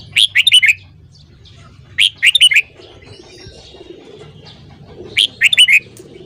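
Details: Morning song of a red-whiskered bulbul: three quick phrases spaced roughly two and a half seconds apart, each a tight burst of four or five clear whistled notes, over faint low hum.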